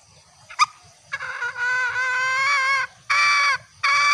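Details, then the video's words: Recorded female green junglefowl call used as a lure to draw males near, heard as sustained harmonic, slightly nasal notes in long drawn phrases with a brief sharp note before and two shorter bursts after. "Sound of green jungle fowl..Masteran Ayam Hutan Hijau"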